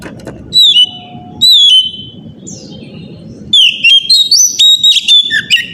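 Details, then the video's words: Morning lure song of an Oriental magpie-robin, used to get other magpie-robins to answer. Two clear, high whistled slurs, a pause, then a rapid run of varied whistles and chirps over a low background rumble. "pancingan suara kacer pagi hari"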